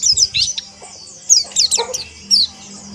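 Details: White-eyes (pleci) chirping together in ombyokan style for rough ngeriwik singing: a few scattered high thin sweeping notes and short twitters separated by quiet gaps, over a faint low hum.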